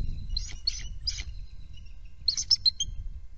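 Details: Bald eagle at a nest reacting to a perceived threat, bursts of squeaky, high chittering notes, three quick clusters, a gap, then a louder tumbling group, with background wind rumble.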